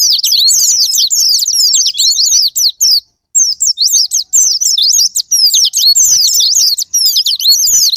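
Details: Japanese white-eye, a recording meant as a lure to spark singing: long fast bursts of high, thin, tumbling twitters, broken by a short silence near the middle, then resuming just as rapidly.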